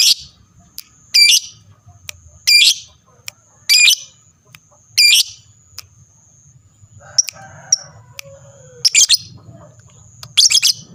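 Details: Lovebird calling to set other lovebirds answering: loud, piercing squeaky bursts about a second long, repeated every second or so, with a faint steady high whine behind them.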